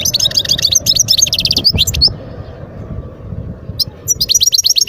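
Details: European goldfinch in the wild at Guerbaz, Skikda, Algeria, recorded 2022. Dense bright twittering phrases pour out for under two seconds, then fall silent briefly, and a fresh burst of rapid high chirps resumes near the end.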